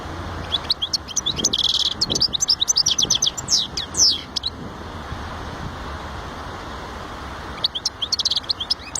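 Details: A European goldfinch sings a long, lively stream of high twitters, slurred whistles and a buzzy nasal note, then falls silent for several seconds before a brief buzzy twitter resumes at the end.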